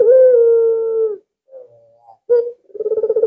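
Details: Albino collared dove, a very vocal bird used as a lure to draw other doves, giving a long low steady coo, then a soft brief note and a rolling, pulsed coo building at the end.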